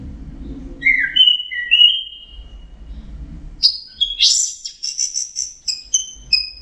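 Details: Punglor, orange-headed thrush, delivering mixed fill song: a few lower sliding whistles over a rumbling background, then a burst of very high sharp chirps and repeated thin whistled notes.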